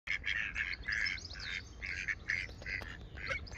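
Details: Two mallard drakes and one hen at Oxford Botanic Garden, 8 July 2021, quack at each other, harsh nasal quacks in quick overlapping bursts, about two a second, against a faint outdoor background.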